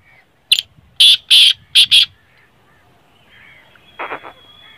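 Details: Loud grating call of a black francolin: five harsh, buzzy notes within about a second and a half, then quiet with a faint high whine and a short rattling from another bird.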